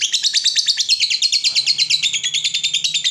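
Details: Brief burst of lovebird ngekek, a lure and master call for training other lovebirds: tightly packed, shrill, buzzy chatter notes repeated about three times a second.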